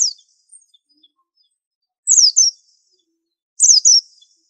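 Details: White-eye of the 'super antik' pleci kind, sung as masteran: two-note phrases of piercing, high, downward-sweeping whistles, each pair separated by about a second and a half of silence; quiet background.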